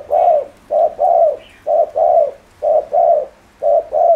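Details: Spotted dove cooing, used to provoke other doves: low, hollow two-part phrases, a short coo then a longer rolling coo, repeated in pairs about once a second with a faint higher note in the background.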